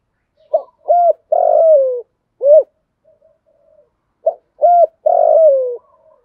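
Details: Spotted dove hen used as a decoy, calling to lure males in the 'thổ pha' voice with one trailing note. Two full phrases: a quick hoot, a level hoot, a long coo sliding downward and a closing hoot. The background is clean.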